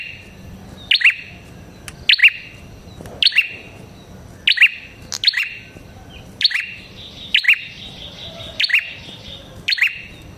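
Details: Red-headed prinia uttering loud chirps. Sharp, clicking double notes sweep downward and repeat at roughly one-second intervals, slightly irregular, with a thin ringing overtone between them and a quiet background.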